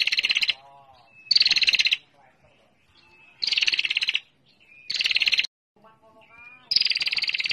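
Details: Ngetir lure call of a female bar-winged prinia: five short bursts of harsh, high rattling, each around half a second to a second long, with faint thin whistled notes in the gaps between them.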